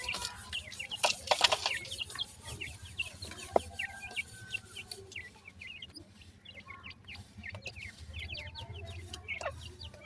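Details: Teetar chicks, the grey francolin, chirping steadily: short shrill peeps repeated in irregular runs, with soft clucks and scuffling noises low beneath.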